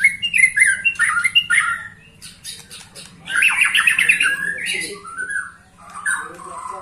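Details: Song of a white-rumped shama aged 21 years, still delivered forcefully: fast varied warbles and squawky chatter in two bursts around a short quieter gap, ending in softer descending whistles.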